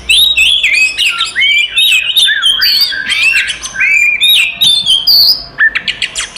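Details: Oriental magpie-robin fighting song, used to provoke other magpie-robins: rapid varied whistles and slurred notes for about five seconds, ending in a few separated sharp clicks.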